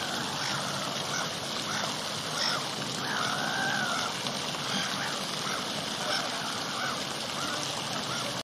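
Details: A courting pair of black-headed gulls on the edge of a garden fountain moan and bow to each other, giving a drawn-out, slightly falling moaning call with a few shorter harsh notes over the rush of water.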